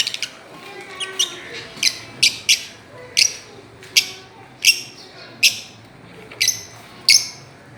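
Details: Fischer's lovebirds at play on a swing: about a dozen loud, piercing single chirps spaced roughly half a second to a second apart, with faint softer twittering and a quiet hum underneath.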